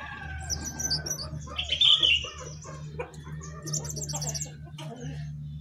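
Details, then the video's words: A jongkangan sings from the top of its cage, giving bright high whistled chirps and a loud slurred phrase, then faster twittering, over a steady low mechanical hum. "Jongkangan Gacor Di atas Sangkar"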